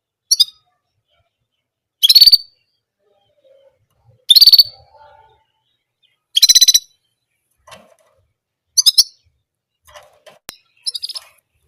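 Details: Orange German canary sticking to one song element: brisk high trilled bursts, each under half a second, repeated about every two seconds, with a few shorter, weaker chirps toward the end.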